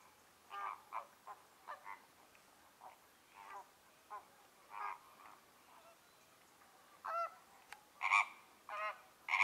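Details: American flamingos (Phoenicopterus ruber) at Lagunska ribogojnica nature reserve on 4 January 2024 give harsh, nasal, goose-like honks. The irregular flock chatter runs at roughly one call per second, with a few louder, higher calls toward the end.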